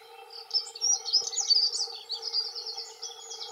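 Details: Territorial song from male dunnocks, two of them: a quick, scratchy, high-pitched warbling phrase of tumbling notes that trails into thinner twitters, against a steady background hum.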